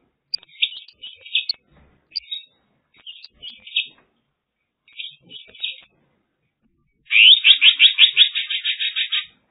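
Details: In China, a Mongolian lark sings several high, scratchy chirping phrases, then a loud, fast rattling trill of about a dozen notes. Nothing else is heard.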